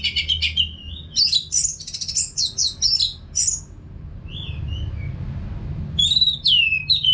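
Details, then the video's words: North Bali orange-headed thrush singing non-stop, used to coax caged birds into song: a long, rapid medley of sharp whistles and chips, a short soft pause, then more high slurred notes over a background hum. "ANIS MERAH GACOR TIADA HENTI TANPA NGETEM"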